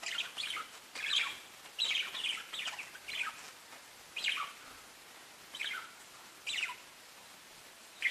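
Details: Softer parakeet chirps come in short, spaced bursts of scratchy warbles and squeaks, with quiet pauses of up to a second between phrases and some background hiss.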